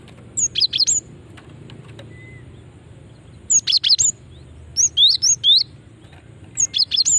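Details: Female cinereous tit call meant to draw responses from other birds: four bursts of rapid, high, piercing chirps and short upward whistles, each burst of four to five notes, spaced about one and a half seconds apart.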